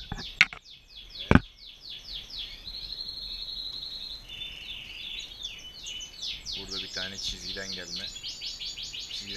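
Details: European goldfinch (Carduelis carduelis) song from a male and female just paired together: a fast, liquid twittering of high tinkling and buzzy notes almost without pause, with two sharp knocks early and a low voice near the end.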